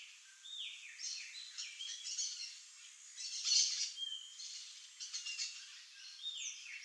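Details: Wild, free-living curl-crested jay (gralha-do-campo) in Brazil, giving a run of harsh, scratchy calls mixed with short upward and downward slurred notes, loudest midway through, with background outdoor noise.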